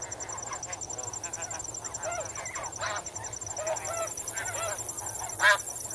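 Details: Close-up snow goose (Anser caerulescens) flock calling while swimming and wading in water: constant overlapping chatter of nasal, barking honks, with steady high cricket trilling behind.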